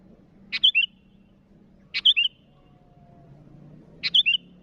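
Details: Three clear phrases from a sooty-headed bulbul calling rivals, spaced about one and a half to two seconds apart, each a sharp clipped note followed by two quick falling, liquid notes, over soft background hum.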